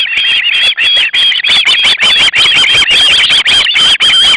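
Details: Loud, steady begging from young ospreys at the nest while the male delivers fish, August 2012: strident, harmonic squeals pour out nearly continuously, broken only by brief gaps.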